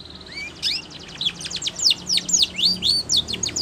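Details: Training song of a Spanish Timbrado canary: a quick sequence of sharp, high chirps and upslurred whistles, about four notes a second, bright and metallic over a quiet background.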